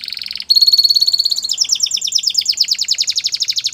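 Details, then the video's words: Canary song used for training young canaries: a buzzy short phrase, a bright sustained whistled note, then a fast loud rolling trill of repeated sweeping notes. "Canary Bird Sounds"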